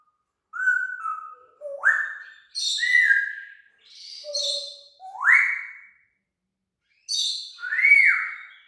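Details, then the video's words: Talking pet parrot mimicking sound effects, giving a series of whistled notes: level tones, sharp upward swoops and arched slides, separated by short gaps over several seconds, with no other sounds. "Parrot talks with hilarious sound effects"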